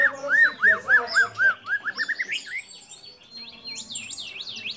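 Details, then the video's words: Singing white-rumped shama whose song holds copied calls of sooty-headed bulbul, cililin, lovebird and canary, for training other shamas: clear arched whistles repeated about four per second, speeding into a twitter, then high looping notes. "Murai Batu Gacor Isian Kapas Tembak Sambung Cililin Lovebird Kenari Dll"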